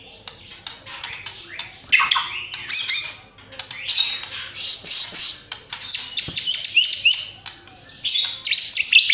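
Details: A murai batu (white-rumped shama) sings a full isian repertoire with tembakan: loud, jumbled, very high chattering and squeaky notes in quick irregular bursts with brief pauses between them.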